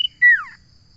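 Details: Common iora finishing a high trilled note, then dropping into a bright whistle that slides steeply downward, all within about half a second. Only a faint steady high whine is heard behind.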